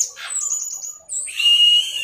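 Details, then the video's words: Caged Orange-headed Thrush; high thin whistled trill sliding down, then after a brief pause a sustained buzzy whistled note. "MASTERAN ANIS MERAH TELER"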